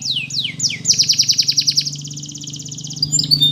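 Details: Canary singing a Spanish Timbrado training song: three falling swept whistles, then a dense, fast, bell-like roll of repeated notes, over a steady low background hum.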